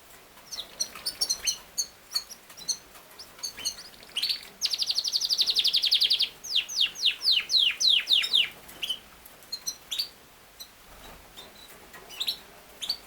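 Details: Yorkshire canary, a king size canary breed, singing. Scattered sharp chirps lead into a dense buzzy trill lasting over a second, followed by a series of clear down-slurred whistles repeated rapidly, then sparse chirps.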